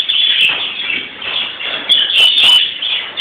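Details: European greenfinches (Chloris chloris) celebrating Palm Sunday with dense, fast, high chirping and trilling song, several notes per second, with a few scratchy noise bursts.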